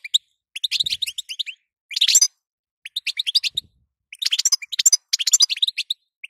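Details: European goldfinch female uttering batbata and sitsita calls to prompt a male's song; quick strings of sharp high chirps, a louder buzzy burst near two seconds, then longer twittering phrases.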